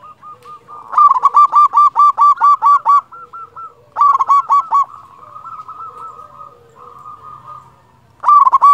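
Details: Local Indonesian zebra dove (perkutut) in loud, strong song, used as a lure to prompt other doves to sing: bursts of about eight rapid, evenly spaced hooting coos, separated by softer, lower murmuring notes.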